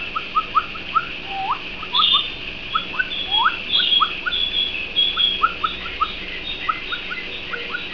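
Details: Pet canary chirping almost constantly: quick rising notes in irregular bunches, some longer sweeping upslurs, and thin high whistles layered over a continuous hissing background.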